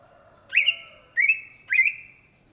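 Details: Cucak ijo, the greater green leafbird, in full gacor song: three separate upslurred whistles, each rising sharply then held as a long even tone, spaced about half a second apart, with a faint lower tone beneath the first.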